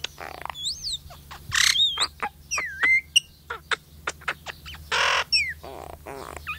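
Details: Talking myna that was always with a baby boy produces a busy string of sharp whistles, swooping rising and falling notes, clicks and harsh squawks, some bursts noisy and broad, with people exclaiming nearby.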